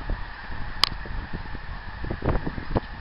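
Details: Geese flying and honking, 24 January 2010, in a brief run of low calls with a sharp click near the start and a couple of louder honks near the end.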